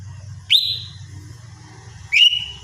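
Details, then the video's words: Two clear rising whistles from a lesser green leafbird in the morning, the first held long and fading, the second following after a pause, with a low background hum. "cucak ijo mini RUTINITAS bunyi di pagi hari"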